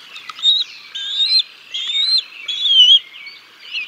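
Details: During a fish meal for the chicks at the Decorah North bald eagle nest, 6 May 2022, live nest camera; four shrill whistled calls in quick succession, each level and then slurring slightly upward.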